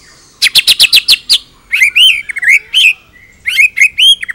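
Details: White-rumped shama; song; master recording to train other birds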